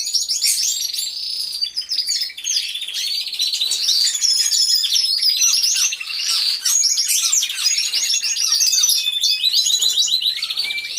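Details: Aviary of canaries in full song, recorded by a hidden camera. Unbroken wall of high, sparkling trills and warbled rolls at steady loudness, with many birds overlapping throughout.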